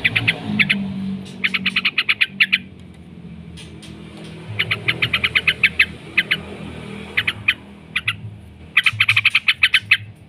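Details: Yellow-vented bulbul giving 'ngekek' chatter meant to provoke other birds to answer: several bursts of fast, harsh notes separated by quiet gaps of a second or more, light background rumble.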